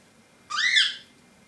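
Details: Two-month-old cockatiel chicks, captive, with a single loud, harsh, rising then falling screech lasting about half a second in a quiet indoor setting.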